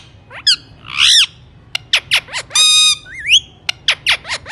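An Alexandrine parakeet gives a burst of harsh, grating squawks mixed with sharp downslurred whistles and rasping chatter, loud and close, in quick uneven succession.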